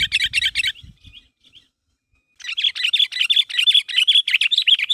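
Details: Sooty-headed bulbul in full voice, calling others so they respond; a rapid burst of chirps, a near-silent gap of over a second, then a long, steady train of bright, bubbly notes.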